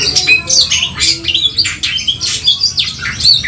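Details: Oriental magpie-robin in a fighting bout, singing to stir up emotion: dense, hurried bursts of high whistles, sharp chirps and scratchy notes, overlapping almost without pause, with a faint low hum underneath.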